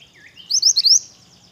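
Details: Energetic song of a pied bush chat, a tight burst of four high rising whistles, with softer whistles from other birds behind it.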